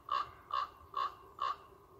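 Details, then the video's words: Common raven giving a meowing call, 1 August 2021; four nasal, cat-like mid-pitched notes spaced about half a second apart, with a quiet background. "Лесной ворон мяукает"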